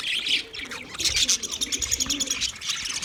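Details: Budgerigars produce bright, rapid twittering and short whistled squeaks in a crowded chorus, and a low soft warble runs quietly beneath the chirping.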